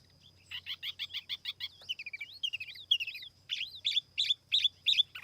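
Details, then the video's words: A lure-bird silver-eared laughingthrush delivers a quick train of chirped notes, then sliding whistled phrases and punchy repeated chirps; a steady high tone runs faintly underneath. "TIẾNG CHIM TIỂU MI MỒI KHÔNG TẠP ÂM CỰC CHUẨN"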